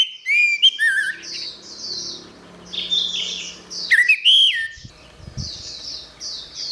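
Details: Orange-headed thrush song for training songbirds: clear whistled slurs and short trills at the start and near four seconds, linked by softer high twittering, with faint low thumps toward the end.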